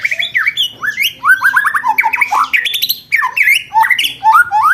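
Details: White-rumped shama (murai batu) contest-bird training recording of rapid 'roll tembak' song: dense run of loud whistled and rattling phrases sweeping up and down, fast trills and sharp chattering notes packed back to back, almost without pause.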